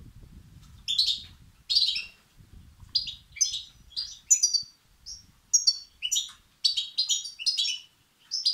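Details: Begging European goldfinch chicks, calls used to excite males: a steady run of sharp, high chirps and twitters in quick bursts about every half second, over a soft low rumble early on.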